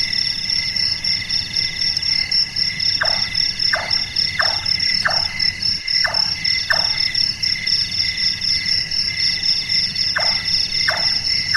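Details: Large-tailed nightjar, a nocturnal bird whose call resembles someone doing carpentry. Bursts of repeated knocking notes, each sliding downward, come about every two-thirds of a second, pause, then resume, with a continuous loud insect chorus throughout.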